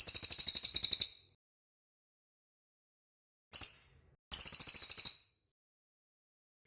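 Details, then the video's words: Cililin bird song for training cage birds: shrill, quickly pulsing trills in short bursts, some brief and some over a second, with long silent gaps. "BURUNG CILILIN SUARA MANTAP, BERSIH, DAN JELAS"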